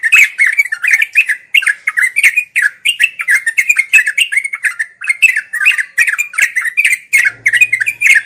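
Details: Fast continuous ropel song of a sooty-headed bulbul, played for birds still learning their song: dense, lively string of sharp warbled chirps pouring out without pause, a faint low hum appearing toward the close.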